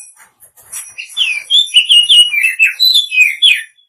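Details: Female Oriental magpie-robin calling to the male: a run of short, sliding chirps between about two and four kilohertz-range notes, each bending downward, delivered rapidly over several seconds with faint higher sibilant notes above.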